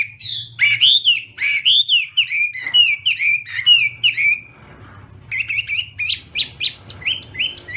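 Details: Chinese hwamei during morning song practice: a string of rich slurred whistles, a short quiet gap, then a rapid series of sharp upswept notes; faint low hum throughout.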